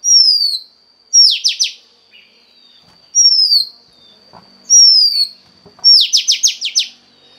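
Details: Oriental magpie-robin female singing to excite a male in captivity: repeated long falling whistles, each followed by a rattling run of four to five rapid descending notes, in a quiet setting.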